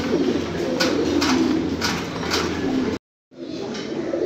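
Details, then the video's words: Fancy pigeons coo in a soft overlapping chorus of deep rolling notes with rhythmic tapping, cut by a short silence before the cooing resumes. "fancy pigeons"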